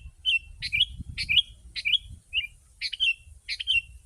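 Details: Sooty-headed bulbul singing energetically as a lure for wild birds: clusters of bright, squeaky chirps with slurred tails, about two per second, over a steady faint hiss and low rumble.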